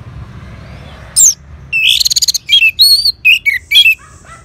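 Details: Orange-headed thrush responding to a lure in Singaraja, North Bali: a high burst, then a rapid rattling run of notes followed by varied whistled phrases, some sliding down, over a constant low background hum.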